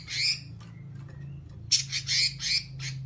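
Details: Red-billed leiothrix, locally called robin, in full 'nyerecet' chatter: one rasping burst, a gap with faint ticks, then a run of four scratchy, buzzy high notes. A low background hum runs throughout.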